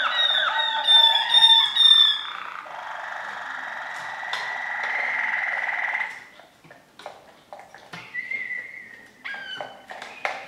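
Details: Waterslager canary: quick ringing notes, then a long, smooth buzzing roll lasting several seconds, followed by scattered short notes and a brief whistled tone amid clicks and pauses.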